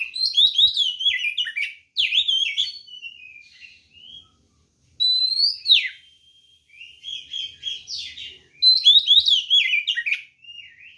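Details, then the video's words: Caged white-rumped shama giving a fighting song meant to provoke other birds: loud bursts of rich whistled phrases and rapid chattering notes, sweeping up and down, separated by brief pauses and softer trailing warbles. "SUARA BURUNG kacer gacor NGEPLONG TARUNG ini paling AMPUH buat PANCINGAN kacer NYAUT EMOSI"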